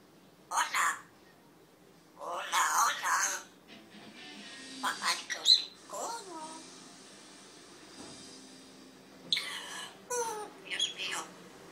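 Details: Red-tailed African grey parrot giving harsh, broad squawks in short bursts, separated by pauses, with a few brief wavering whistled notes in between, over a quiet indoor background.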